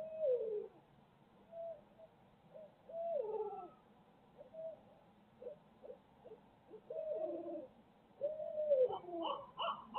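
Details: Barred owls in Midtown Tulsa on a live camera feed, giving a loose string of short and slurred hoots, some rising then falling, spread across ten seconds with gaps between, ending in a busier burst of calls.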